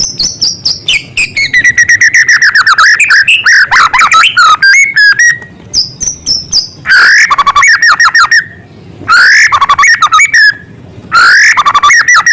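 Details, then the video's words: Loud, vigorous White-rumped shama song woven with copied small-bird sounds. Long unbroken runs of rapid chattering, trilled and whistled notes shift in pitch, broken only by brief pauses. "Murai gacor materi isian suara burung kecil"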